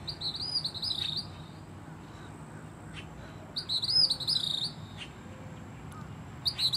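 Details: Gray kingbird singing at Siesta Key, Florida: sharp, high twittering phrases delivered in quick bursts roughly every three seconds, with a steady low rumble of traffic beneath.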